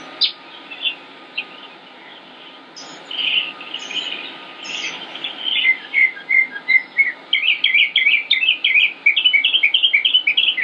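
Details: Male northern mockingbird singing in Concord, North Carolina, in late May 2016: a long run of mixed phrases, starting with scratchy notes and ending in rapid repeated chirps, several per second, each phrase type repeated a few times before switching.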